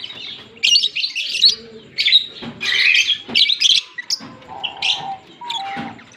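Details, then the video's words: A pair of green Fischer's lovebirds, recorded October 16, 2023, singing and chirping: dense bursts of shrill, squeaky high chirps and twitters tumble over one another in rapid, irregular runs, with short pauses between the bursts. "Lovebird Singing & Chirping Sounds- Green Fischer Pair nicely"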